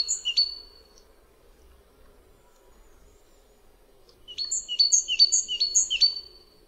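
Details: Great Tit song variation: a single brief high phrase, a pause of several seconds with a faint hum, then a lively burst of rapid, ringing multi-note syllables stacked at several pitches.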